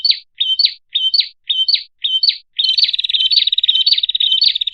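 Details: Red-headed prinia, a small bird, heard as a lure: five separate chirps with a flat note and rising flick at steady half-second spacing, then a continuous fast, buzzy trill of high notes.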